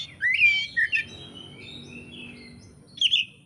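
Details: Oriental magpie-robin, Indonesia, singing actively as training material for songbird keepers: slurred whistled notes at the start, a long faint trailing whistle, then a brief high burst, over steady low rumbling noise.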